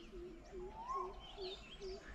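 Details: Greater Coucal courting in early March in a garden with a bird table at Nong Kwai, Hang Dong, south of Chiang Mai, Thailand. Five deep, soft 'who' hoots come evenly about twice a second under higher chirping and whistling of other birds.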